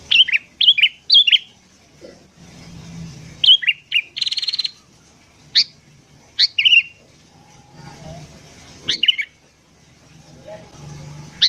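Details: Morning song of a sooty-headed bulbul meant as a lure for wild birds: short, cheerful bubbling phrases of two or three notes, repeated every couple of seconds, with one harsh buzzy burst in between.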